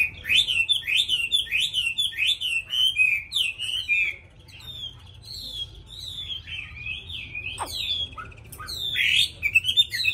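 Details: Caged Hwamei, newly acquired, described as having a pure wild-style voice and singing constantly once hung out: loud, fast whistled phrases, rapid repeated downslurred notes rising and falling, with brief pauses and a sharp upslur near the end.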